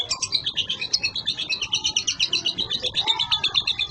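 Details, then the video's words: Young caged lovebird singing in the natural 'konslet' style, from Boyolali: rapid, dense, buzzy high chattering with notes pulsing about three times per second and no pauses, the bird running its song continuously. "LOVEBIRD konslet"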